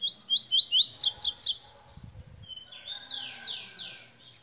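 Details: Tui singing a bright series of rising whistled notes, then three louder downslurred whistles, followed by a softer run of sweeping, descending notes after a brief low rustle.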